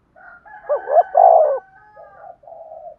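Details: Spotted dove calling to stimulate decoy birds: quiet opening coos, then a bubbling wavering note and a loud prolonged coo, followed by two softer level coos.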